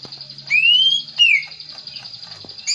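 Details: Green leafbird lure song meant to draw out a bird's repertoire: a clear whistled note sliding upward, then a second falling whistle, over a steady high ringing tone and a faint low hum.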